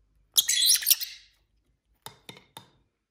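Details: Pet lovebirds indoors give one loud, dense burst of shrill chattering chirps, followed by three short clicking taps after a pause.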